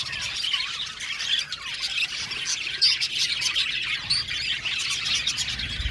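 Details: Budgies of an aviary colony squawk and twitter, with scratchy chirps and short rising whistles overlapping continuously and a low thud at the close.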